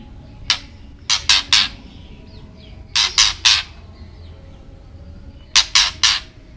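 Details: Ketrekan call of a white-rumped shama, meant to agitate other birds: a single harsh burst, then clusters of three scratchy, rasping chatters, each group about two and a half seconds apart against low room noise.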